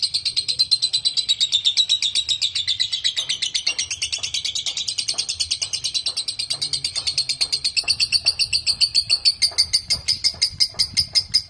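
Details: Long ngekek chatter from a lovebird, used as a lure recording to set other lovebirds singing. Fast, piercing, high-pitched notes run together in an unbroken stream, becoming slightly harsher and more clipped toward the end.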